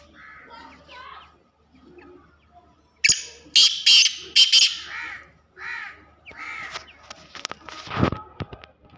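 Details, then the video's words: Black francolin, female with chicks, calling in forest: soft hoarse notes lead into a burst of loud, harsh, grating calls about twice per second, followed by quieter scratchy notes and a brief low thump. "kala teetar |اور کالی مادی کی جنگل میں پیاری آواز | teetar chicks voice"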